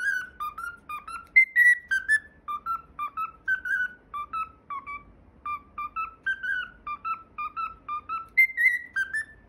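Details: Pet cockatiel singing the opening theme of the Japanese children's programme PythagoraSwitch, a clear whistled melody of short pure notes that step up and down, some with quick upward flicks, phrased in a steady bouncing rhythm inside a quiet room.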